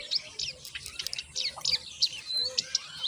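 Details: Common myna chicks being fed by their mother, who brings moringa: a busy run of high, sharp chirps and squeaky notes, rapid and irregular, with faint murmur of voices beneath.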